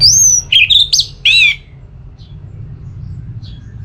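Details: Orange-headed thrush from northern Bali giving a short burst of high slurred whistles and a buzzy note in the first second and a half, followed by near silence with faint distant chirps.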